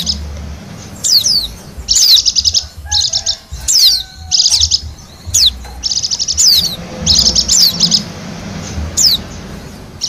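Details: Bali white-eye song from the wild, intended to lure wild birds: many fast, high-pitched chattering trills, each often led by a steep falling whistle, repeated every second or so with short pauses.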